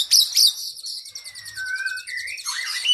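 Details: Oriental magpie-robin training song for cage birds, opening with two sharp high chips, then long smooth whistles that rise and step down, closing with a tumbling warble.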